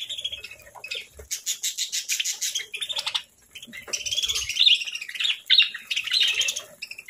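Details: Parakeets fed fresh fruit and seeds in the morning make bright, twittering chirps with quick rising and falling notes, broken by a burst of scratchy rattling and a brief pause.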